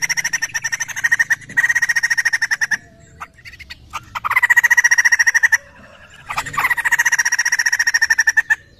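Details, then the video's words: Laughingthrush known locally as poksay, lure call for provoking an answer: three extended runs of quick, harsh, evenly repeated pulses with short quiet breaks holding a few faint clicks. "Sekali putar burung Poksay langsung nyaut"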